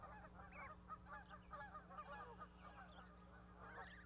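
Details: Goose family with fluffy goslings on an osprey nest at Charlo, Montana, 12 May 2020. Quick overlapping honking and chattering notes fill the moment, a rising call standing out at the end, low hum underneath.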